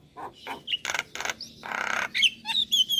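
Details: Javan myna, a very vocal bird used as a lure to get young mynas singing: harsh broadband squawks and rasping bursts mixed with short whistled notes and buzzy chatter, uneven spacing.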